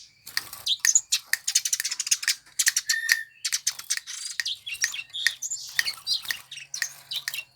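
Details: Eurasian tree sparrow, a favourite of songbird fanciers, in a long lively twitter of rapid high chirps with occasional short whistles.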